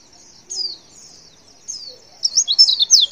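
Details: A few thin, high, descending notes from a female white-eye, spaced out at first, then a lively cluster of sharp twittering chirps at the end. The call is meant to prompt males to answer.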